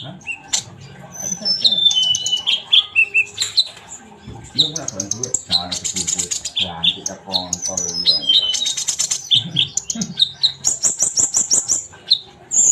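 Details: Sunbird singing a lively string of thin, high chirps and sweeping whistles, ending in a rapid run of repeated sharp notes, with a person talking over the middle part.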